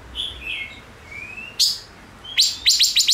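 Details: Chim ngũ sắc singing: soft, slurred whistles and a long rising whistle, then a quick run of loud, sharp, clipped chirps.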